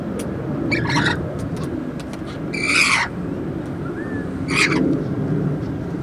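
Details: Rainbow lorikeets bathing and drinking on a hot day outside a sixth-floor office window, giving three harsh, broadband screeching bursts about two seconds apart over a steady low rumble of traffic.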